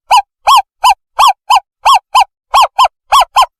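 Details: Owl call used as a lure to attract and catch owls: loud, clear, hooting notes with a rising then falling shape, repeated about every third of a second in uneven pairs, harmonics ringing above, no background sound.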